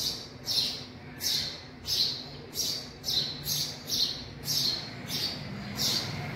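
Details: A family of young house sparrows sheltering in a garage calls with a run of sharp, high chirps, about ten evenly spaced notes, roughly one every two-thirds of a second, above a low steady hum.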